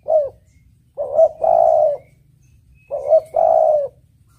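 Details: Spotted dove (tekukur) cooing, a clear song used as a lure for trapping: two low phrases, each a short coo followed by a longer drawn-out rolling coo, about two seconds apart.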